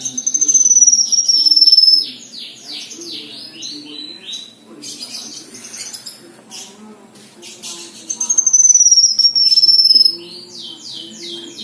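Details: Energetic singing from a black-winged myna: two bouts, each a high piercing drawn-out whistle falling slightly in pitch over fast repeated chirps, with a softer, scratchy, chattering stretch between them.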